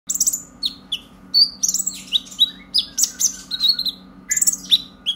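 A purple-throated sunbird gives a fast, high twittering song of thin chirps and sweeping squeaky notes in quick bursts, over a steady low electrical hum.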